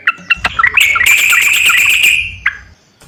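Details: Lure recording of yellow-vented bulbul song for a bird reluctant to sing. A few short whistles lead into a long, sustained, buzzy trilled phrase that fades after about two seconds.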